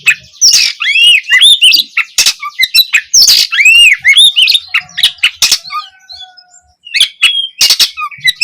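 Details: Oriental magpie-robin opening song, recorded as learning material for juveniles: harsh, rasping squawks mixed with arched whistles and sharp clicks in a busy, irregular stream with only brief pauses.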